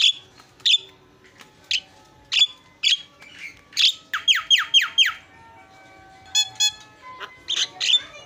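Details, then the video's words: Javan myna song of spaced harsh chips, then a quick run of five descending slurred whistles, followed by scattered squawks and rattling notes with pauses between. "SUARA ISIAN..!! JALAK KEBO PALING KRENN"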